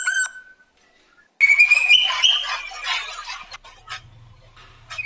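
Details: Black drongo, a male bird in lively song used as a lure to make other birds sing: a short high note, a pause, then a rising whistled slur over dense harsh, buzzy chatter and scattered sharp notes.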